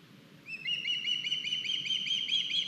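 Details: Estonian osprey nest, 9 August, one of the young arriving with a big fish: clear, loud high whistled chirps in a rapid, even series of roughly five per second, beginning abruptly after near silence.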